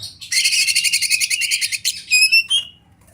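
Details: Masteran song of a wild champion Oriental magpie-robin, or kacer, amid river and forest ambience: a dense, fast buzzy rattle of rapidly repeated notes lasting over a second, then clear high whistled slurs, with quiet low hum beneath.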